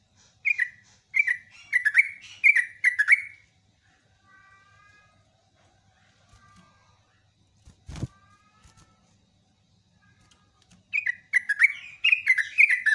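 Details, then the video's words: Yellow-vented bulbul in lively, long-phrased song used as a lure: bursts of bubbly, warbling notes around the same pitch, repeated in quick succession at the start and again near the end, with a quiet gap and a sharp click between. "BURUNG TRUCUKAN GACOR ROPELAN PANJANG"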